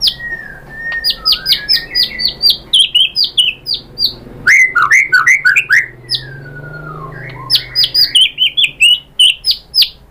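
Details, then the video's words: White-rumped shama song meant to trigger singing: dense bursts of sharp high chirps and downslurred notes, interspersed with softer whistled slides, delivered in quick energetic phrases. "bikin NYAUT ‼️ MURAI BATU jadi EMOSI GACOR BONGKAR ISIAN ¦ PANCINGAN MURAI"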